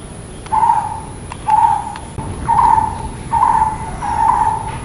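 A brown-headed barbet gives a low, hollow, throaty note about once a second, five times in steady succession, with a few faint clicks behind.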